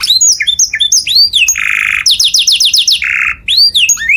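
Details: Loud canary song for imitation by other birds, mixing quick whistled slurs with two harsh buzzy rolls and a burst of fast repeated chirps.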